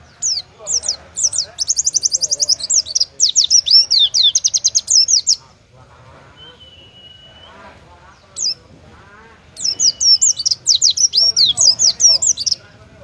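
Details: Caged Oriental white-eye in competition form delivering the judges' favourite song: bursts of very high, rapid twittering and trilled whistles lasting several seconds, a long pause with a single thin whistle, then another fast chattering burst; faint background noise.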